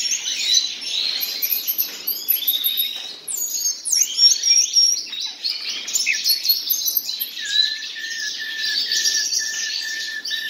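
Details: Two common nightingales singing varied, rapid phrases: chattering notes, a steep downward-sweeping whistle, high thin tones, and near the end a steady, lower repeated piping note held for several seconds.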